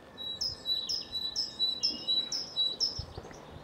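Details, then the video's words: Great tit song recorded in Cambridge, UK, 24 March 2020 early afternoon; a bright see-saw pattern of high then lower whistled notes repeated about seven times in quick succession, with faint low rumbles beneath. "Great tit bird singing call"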